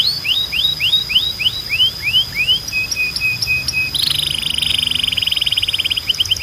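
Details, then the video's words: Belgian canary singing for bird training: a row of rising swept whistles, short level notes, then a rich fast rolling trill that continues to the end. "Canário Belga Cantando 2026 🔥 Canto Forte e Limpo Para Treinar Pássaros"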